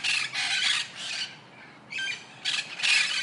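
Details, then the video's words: Colourful parrots uttering short, harsh screeches and rattling squawks in a few loud bursts separated by a brief quiet pause. "Tote ki Awaaz | Parrot Sound | रंगीन तोते कि आवाज"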